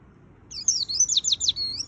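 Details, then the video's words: White-eye (pleci) song in the energetic 'gacor full isian' style: after a brief quiet start, a fast burst of very high, thin twittering whistles and slurred trills pours out for just over a second. "Suara Burung Pleci Gacor Full Isian - Tiếng chim vành khuyên líu"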